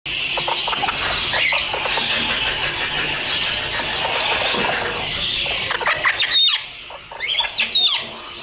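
A red-fan parrot gives harsh, high squealing screeches in a near-continuous run, then shorter separate squawks toward the end.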